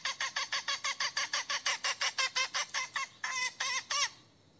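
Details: Hen cackling to summon a rooster, a fast, steady series of short, harsh, harmonic notes, about four per second, slowing near the end into three longer, wavering squawks before quiet.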